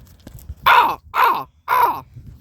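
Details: Crows in the wild near Brookville, Indiana, heard on a walk through woods with dead trees; three harsh, hoarse caws in quick succession, each about a third of a second long.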